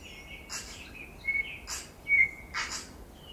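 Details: Winter tui on Owairaka, feeding among exotic banksia and flame tree blossoms, giving clear level whistles split by three loud wheezy, hissing bursts at roughly one-second gaps.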